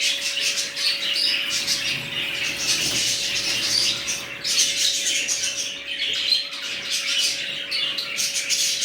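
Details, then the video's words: Budgerigars in a new colony chatter continuously in dense, high, buzzy chirps and warbles, with a constant faint hum in the background. "Budgies Parrots New colony"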